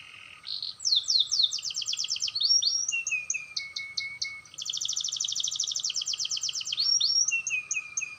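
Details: Canary learning to roll, voice clear; quick sweeping notes lead into a long, tightly packed high roll, followed by lower falling whistles and more chatter, with only faint background noise.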